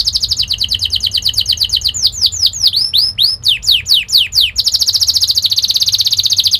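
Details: Singing canary used as a training song for young canaries: a quick rolling trill, a burst of varied swooping and curling whistles, then a fast, steady high trill.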